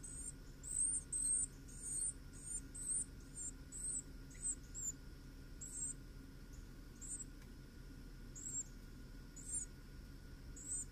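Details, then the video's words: Carolina wren at the nest: thin, very high squeaky chirps, quick runs at first, then scattered about every second, over a low steady hum. "Carolina Wren Nest with sound"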